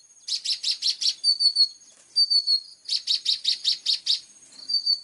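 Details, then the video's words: Plain-throated sunbird (kolibri ninja) in full song: two bursts of rapid buzzy trilled notes separated by thin, high, slightly falling whistled phrases. "KOLIBRI NINJA GACOOR FULL TEMBAKAN TAJAM||suara jernih"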